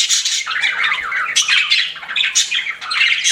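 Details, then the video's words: Pet budgies chirping in loud, scratchy warbles mixed with squeaky whistled notes, the chatter rising and falling in waves. "CUTE PET BUDGIES CHIRPING"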